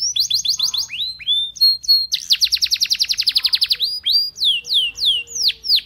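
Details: Belgian canary singing to invite other canaries to join in: quick repeated high whistled notes, a fast buzzy rattling trill in the middle, then slower descending sweeping whistles.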